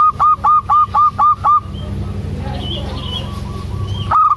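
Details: A local zebra dove hen calling her mate delivers six loud, evenly spaced clipped notes, about four per second, then falls quiet apart from faint distant chirps and hum before the series restarts.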